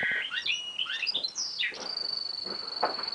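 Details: A goldfinch × canary hybrid sings vigorously: a quick, varied twitter of bright, sliding high notes, then a long, thin, steady whistle.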